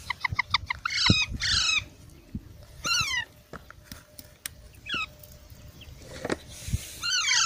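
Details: Baby parrots with a fast stuttering series of short notes leading into rasping falling squawks, then scattered single calls amid clicks and soft knocks.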